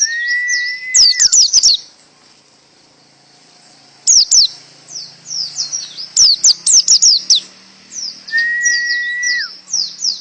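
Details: High canary-style song in bursts: a long flat whistle with a sharp chirp volley, a pause, then clustered rapid trills and warbles, and another sustained whistle with high twittering near the end.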